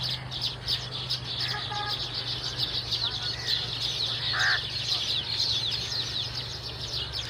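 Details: Baya weaver flock chattering: dense, continuous, high buzzy twittering throughout, with a few louder whistled notes rising above it and a steady low hum underneath.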